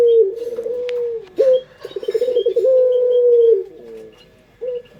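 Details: Sweet-voiced pelung Barbary dove from Indonesia, used as a lure. It gives a held coo, a brief clatter, then a burst of rapid pulses that merges into a long, steady low tone fading downward, followed by a short final coo. Small birds chirp faintly.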